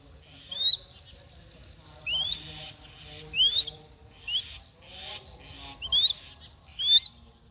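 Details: Hunting crested goshawk giving six sharp, upward-sweeping shrill whistles, spaced unevenly at about one every second or so, over soft background chatter and low rumble.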